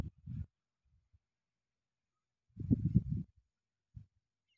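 Low, guttural croaking from a cattle egret in three short bursts: a brief rasp, a longer harsh croak a couple of seconds later, then a single grunt, with quiet between.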